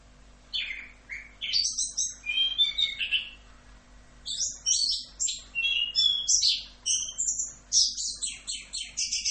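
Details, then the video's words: Full "Rock'n Roll" tutor song of an Orange-headed thrush: fast, dense bursts of high chirps, trills and whistled notes, broken by a brief pause near the middle, then a busy run of varied phrases. "BURUNG KICAU - MASTERAN ANIS KEMBANG FULL Rock'n Roll"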